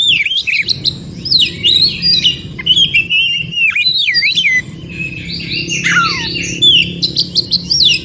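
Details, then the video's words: White-rumped shama, a recording said to be from the wild forest and used to stimulate other shamas to sing: rich, varied song of fast whistled phrases, sweeping up and down and trilling, with some harsher notes, over a low background hum. "Terapi Kacer macet bunyi.kacer mana pun langsung Respon Degar suara Kacer yg 1 ini SUARA ASLI HUTAN"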